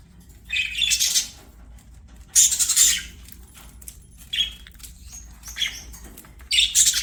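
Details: Budgerigars at play, giving scattered short bursts of scratchy chatter and brief squeaky notes between quieter spells, with light background rustling.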